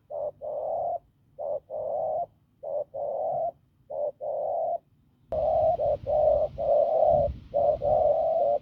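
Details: Field-caught spotted dove with a husky, forceful voice delivering low coos, mostly a brief note then a drawn-out one, repeated steadily; partway through a hiss of background noise rises behind the bird.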